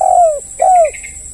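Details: Two drawn-out, gently falling coos from a spotted dove played as a lure to set other doves calling, each about a third of a second, under a continuous thin high tone.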